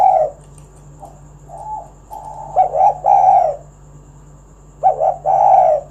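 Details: Spotted dove call for coaxing other doves into singing; soft scattered coos build into a quick run of three full throaty coos, then another strong pair, with steady background hum.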